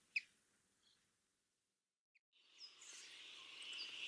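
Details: Male and female Brambling calling: a few short, sharp high notes, then a long, harsh, buzzing wheeze that runs to the end.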